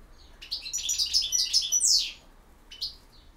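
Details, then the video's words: European goldfinch in campero song, a brisk run of sweet, tumbling twitters ending in a sharp rising-falling flourish, followed by a pause and one brief chirp. "El Jilguero BiH 21"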